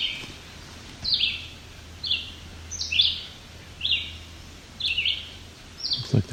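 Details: A family of at least five White-breasted Nuthatches, including young, in a rocky alvar near Cape Chin North, Bruce Peninsula, Ontario, on 17 July 2019. They give quiet, short, nasal, high calls about once a second, some doubled, over a low steady hum.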